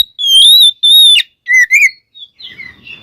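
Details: Oriental magpie-robin song, used to provoke other magpie-robins into singing: two long, clear, even whistles, then a pair of rising slurred notes, followed by softer, scratchy phrases.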